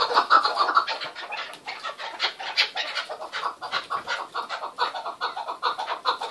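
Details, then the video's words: Chorus of calling chukar partridges, the keklik hengamesi: many rough, clucking notes pulsing rapidly and overlapping in a steady, busy racket. "Keklik Sesi Muhteşem (Keklik Hengamesi)"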